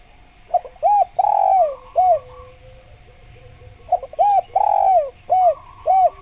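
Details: Spotted dove (tekukur) recorded as a masteran tutoring track to get doves calling: two phrases of mellow, arched coos, each with short hooked notes around a longer drawn-out, falling coo, separated by a pause over a faint steady hum.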